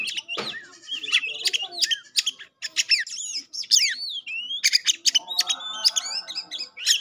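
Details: Pastol-type Oriental magpie-robin singing to test listeners' own birds: loud, varied phrases of sweeping whistles, harsh chips and slurred notes in rapid succession, with a brief soft hum near the end.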